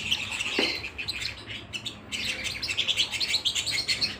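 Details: A canary sings at home: high warbling chirps, a short quiet gap, then a fast run of bright repeated trill notes, with one sweeping lower note near the start.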